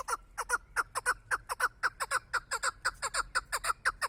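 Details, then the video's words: Chukar partridge used for hunting calls in a steady rhythmic chuckle: pairs of short, downward-sliding chuck notes repeat about twice a second for four seconds, even in loudness, over a quiet background. "Кабки шикори"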